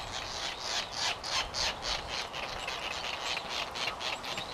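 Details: Midway Island white terns (Gygis alba rothschildi), filmed in 1999 with a Sony VX1000: grating, scratchy notes repeated about three times a second in an uneven chattering run, with little background noise.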